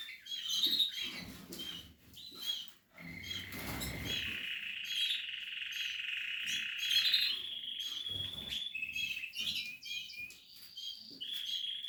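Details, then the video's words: Portuguese harlequin canary while nest building: opening twitters, then a long, steady, ringing rolled trill held for several seconds, followed by more varied high warbling; some rustling from the cage. "Canary,nesting Kanarien nestaufbau.Canarios portuguese harlequin Kanarya harlekin"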